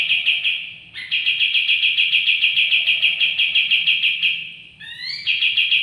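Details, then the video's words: White-eye newly kept at home for two days, beginning to sing: a sustained rapid trill, a brief rising introductory note, then the fast even trill continues, over faint low background noise. "Kapas tembak ombyokan 2hari dirumah sudah mulai buka suara"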